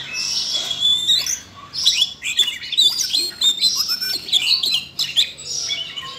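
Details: Siberian rubythroat roused into song by voice-training audio for a young bird: high, busy warbling with slurred whistles and sharp chips, in lively phrases broken by short pauses.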